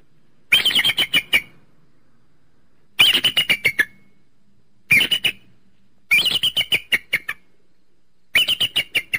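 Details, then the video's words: Eagle repeating quick series of shrill, metallic notes that tumble downward in pitch, each series about a second long and repeated every two to three seconds. "eagle and its distinctive voice"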